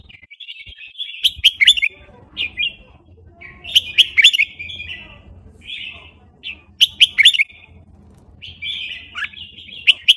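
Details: Red-whiskered bulbul of the Burmese type singing a fast wild-style song: short warbled, chirping phrases, each ending in bright sharp notes, repeated about every three seconds with brief pauses; faint low hum behind.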